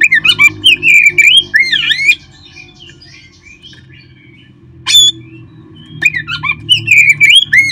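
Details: Oriental magpie-robin song played to stimulate caged birds to sing: loud rich whistled phrases with sweeping, warbling notes and sharp chips, a pause of near silence, then renewed varied whistles.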